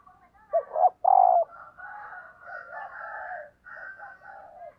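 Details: Female dove calling to arouse males: two short low notes and a long falling coo, then a run of softer, layered coos.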